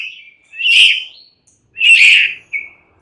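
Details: White-rumped shama (murai batu) giving two loud harsh rasping bursts about a second apart, each followed by a brief thin whistle.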